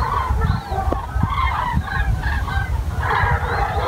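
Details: Common cranes (Grus grus) near Wiesbaden-Auringen, Germany, calling in a flock: loud rolling trumpeting notes overlapping almost continuously, over a steady low rumble of wind.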